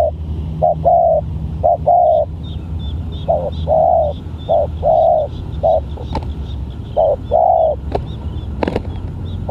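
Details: A spotted dove with an unusual voice, set against a decoy bird, repeats short level coos in uneven groups, with faint high chirps from other birds and occasional clicks.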